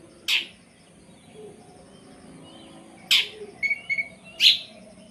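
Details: Long-tailed shrike in energetic 'tembakan' song, used as a tutor for contest birds: a few isolated harsh, explosive notes spaced over several seconds, with short paired whistles between them and quiet background.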